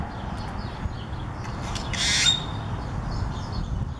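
A single harsh, rasping squawk from a Great-tailed Grackle ends in a brief high whistle, over steady low rumbling background noise.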